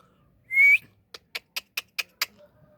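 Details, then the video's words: An Indian ringneck parrot gives one loud, pure whistle rising in pitch, then a steady string of six short, crisp chips spaced evenly a fraction of a second apart. "Indian ringneck parrot Beautiful"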